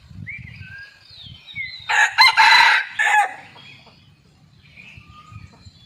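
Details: Wild red junglefowl, filmed with a hidden camera on a morning after a storm while very active. It gives one loud, harsh crow lasting about a second and a half, split by a brief break. Small birds whistle around it, with a low rumble.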